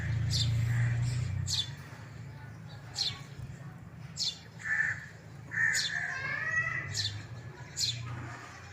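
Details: A baby house sparrow (Passer domesticus) gives short, sharp, high chirps about once a second, some with a thinner whistled edge, over a steady low hum.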